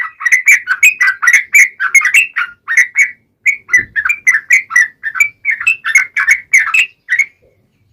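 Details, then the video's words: Yellow-vented bulbul giving sharp gacor 'ngalas tajam' song to draw replies from other birds: a steady stream of bubbly chirped notes, several each second, with one low thump midway. "KICAU SUARA trucukan gacor NGALAS TAJAM"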